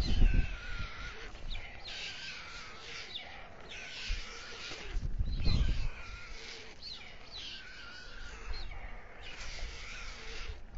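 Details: Two white stork chicks on the town hall tower nest in Alcalá de Henares, Spain, fed by the male at dusk. A run of wheezy, wavering mewing calls, punctuated by a few low thuds.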